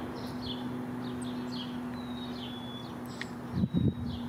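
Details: Black-capped chickadee in a backyard garden in Downers Grove, DuPage County, Illinois: short high chirps and quick downslurred notes, then a thin level whistle midway, over a steady low hum, with a brief low thump near the end.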